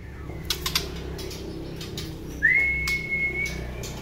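A White-rumped Shama gives a single clear whistle that swoops up and then holds steady for about a second. Faint clicks and taps come before it.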